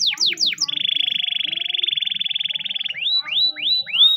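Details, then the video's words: Spanish Timbrado canary in training song: a few quick falling notes, then a long level rolling trill lasting two seconds, closing with separate rising-and-falling whistled notes. "The best Timbrado canary singing video!! Canary Training song"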